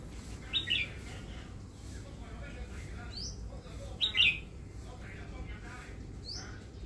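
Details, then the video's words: Caged red-whiskered bulbul, a newly acquired bird kept for its song, giving two short bright chirpy phrases about three seconds apart, with faint rising whistles from other birds and a steady low background hum. "นกกรงหัวจุก เลี้ยงไว้ฟังเสียง"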